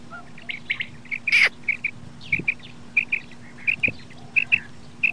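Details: Common quail calling: short, bright chirped notes given singly or in quick pairs, repeated about every half second, over a faint steady low hum.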